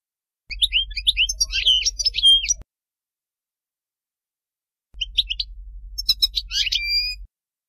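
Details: European goldfinch song in the style called Bainam Ghazarat, used for teaching young birds: two bursts of bright, high twittering and trilled notes with short whistled slurs, separated by about two seconds of silence.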